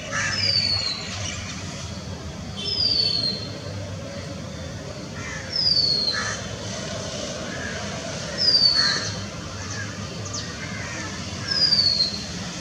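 Oriental magpie-robin giving a thin, high whistle that slides downward, repeated about every three seconds, with softer harsh notes and a low background hum.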